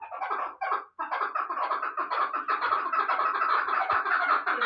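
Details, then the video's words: Chukar partridge from Bartang in the Pamirs, a young bird hatched last year and kept for hunting, giving a dense run of rapid clucking chuk notes that swell into a continuous rasping chorus, brief pause near one second. "Кабки Помир"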